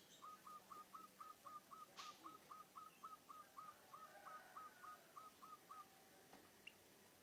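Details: Munia mimicking zebra dove cooing: some twenty short, evenly spaced, hooked whistled notes, about four per second, in one steady run of five and a half seconds, with a click and quiet background afterwards.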